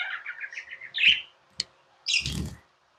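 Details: Budgerigar kept as a pet, giving a quick series of rapid, buzzy chirps that ends in a louder scratchy note, followed by a sharp click and a short noisy rustle.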